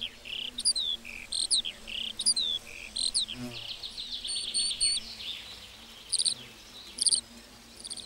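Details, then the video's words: Meadow lark song of high chirping and whistled phrases, somewhat softer, over steady background hiss, with brief louder notes near the end. "Singing lark in the meadow"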